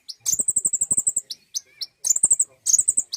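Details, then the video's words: Common iora lure song: a shrill, fast trill of evenly spaced notes, a few sharp chips, then two shorter trills in quick succession. "pancingan bunyi burung konin!"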